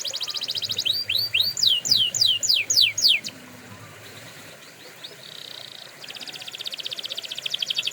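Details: Canary song for canary training: a buzzy trill, a run of descending whistled sweeps, a quiet stretch with soft buzzy notes, then a loud rapid, evenly spaced trill.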